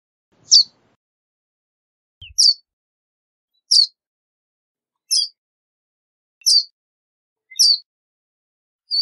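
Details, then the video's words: Verdin giving sharp, high chip notes, one roughly every one and a half seconds, each a brief downward-slurred burst, against a completely silent background. "Verdin Song! Verdin Call! Verdin Singing! Voice! - Baloncito Verdín Canto"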